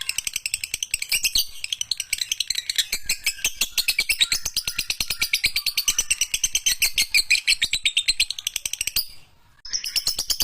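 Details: Lovebird, a cage bird, singing a training song: a long, fast run of high, sharp chirps about three a second, buzzy and steady, ending in a short pause and brief resumption.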